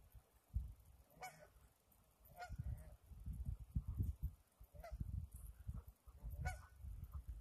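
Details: Honking geese at the Similkameen River, February 20, 2018: four clear, well-spaced nasal honks with rich overtones, each roughly a second or more apart, set against continuous deep river noise.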